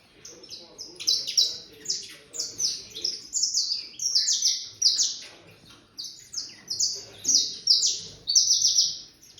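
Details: Canário-da-terra (saffron finch), eight months old, being prepared for a singing contest: high, bright song of sharp descending whistled notes and trills, phrases repeated in quick bursts with brief pauses.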